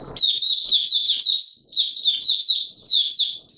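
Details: Oriental white-eye (Mata Puteh Raja) in captivity, opening song recorded 24 March 2022: a continuous stream of high, sweet, slurred chirps in rapid phrases, with only brief gaps.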